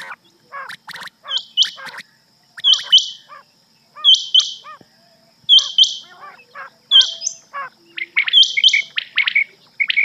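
Rain quail giving sharp, high, paired notes, repeated about every second and a half, over softer chirping and twittering from other small birds.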